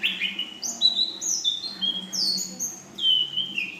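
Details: Young female Ashy drongo, song in full-isian style with 'nembak panjang' and 'belalang emas' phrases: loud, pure, drawn-out whistles gliding between high and mid pitches, each note held briefly, with a faint low hum behind.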